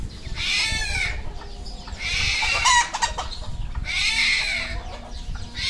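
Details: Red junglefowl at a farm in Cambodia, producing long, hoarse, harmonic calls in three main bouts separated by short gaps, with a sharp squeak midway and low background rumble.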